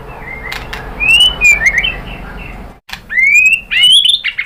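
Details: White-rumped shama singing as a lure to provoke other shamas into song: clear whistled notes sweeping upward, slurred high phrases, a brief pause midway, over a low steady hum.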